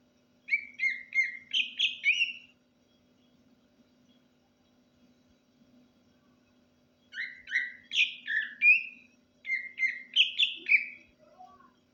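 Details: Greater green leafbird singing softly at night after bathing: two bursts of quick, varied whistled notes, each lasting about two seconds, then a long pause before a longer pair of rapid, chirpy whistled phrases.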